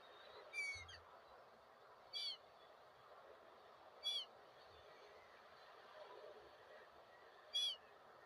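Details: Gull calls: four short, harmonic, slightly downslurred cries spaced irregularly about every one and a half to three seconds over steady broadband background noise.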